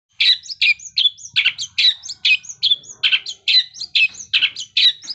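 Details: Long-tailed shrike singing in imitation of a lovebird: high, sharp chirping notes with squeaky overtones, repeated steadily about twice per second in a long even series.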